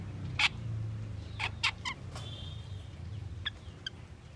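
Asian glossy starling giving sharp, metallic chips and a brief buzzy whistle, spaced irregularly over a low background hum.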